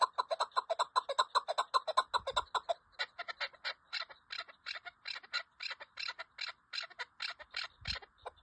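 Chukar partridge giving rapid, harsh chuck notes, first in a dense low cackling run, then a steady series of sharper clucks about two or three per second.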